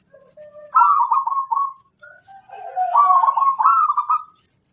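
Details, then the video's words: Local wild-type zebra dove song: two loud phrases of rapid, bubbling, cooing trills, each starting with a soft low lead-in note and running for over a second, with a faint high twittering in the background. "Suara sang masteran burung perkutut lokal alam"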